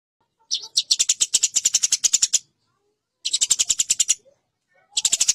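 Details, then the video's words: Eurasian tree sparrow fighting call, a master recording for competition birds: three bursts of sharp, clicking chatter, each a quick run of harsh high chirps lasting one to two seconds, separated by silence. "Burung greja tarung [| Suara BURGER tarung"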